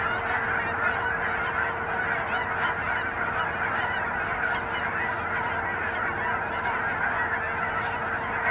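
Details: Canada geese in their thousands on a winter pond in Hutchinson, Kansas, January 25, 2011; a constant, crowded chorus of nasal honks, countless birds calling over one another.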